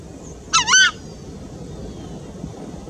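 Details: Chajá, the Southern screamer: a brief, loud double honk, two nasal, bugle-like syllables in quick succession with strong harmonics, then quiet with faint background hum.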